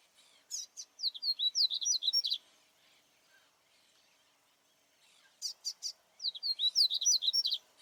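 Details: Wild double-collared seedeater, a 'Baianinho' song variant, singing in nature: two bursts of clear, fast notes, sharp chips then a run of short whistled slurs, separated by about three seconds of quiet outdoor background.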